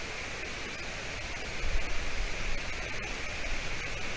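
Continuous broadband hiss over a low rumbling wind, with no animal calls audible.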